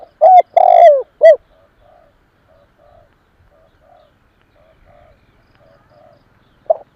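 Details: Spotted dove coo for luring wild doves: one full phrase of short coos around a long burring, falling coo, then several faint distant coos. A new loud phrase begins at the end.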